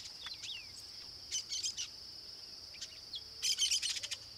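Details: Young flock of chestnut-capped blackbirds with a few adults near their breeding colony at Tupi Paulista, São Paulo, Brazil, singing: short slurred descending whistles, then clustered bursts of buzzy chatter, over a steady high insect drone.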